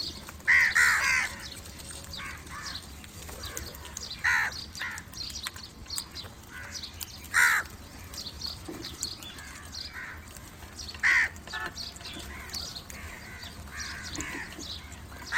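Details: Crow calling other crows: scattered harsh caws spaced several seconds apart, the loudest near the start, over a steady background of chirps and faint noise.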